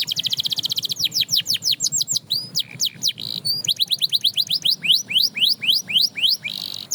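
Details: Canary song meant to spur other canaries into singing again. It opens with a rapid high rattle, then repeated upswept notes, a few drawn-out whistles, and more brisk rising syllables about four per second, over a faint low hum.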